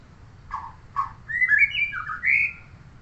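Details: Murai songbird belonging to a neighbour gives two low, rough notes, followed by a flowing run of clear whistled phrases that step up and down.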